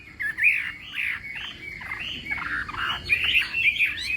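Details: Chinese hwamei contest-style morning song, heard as slurred, somewhat harsh looping whistles repeated nearly twice a second, rather smeared and rough in tone.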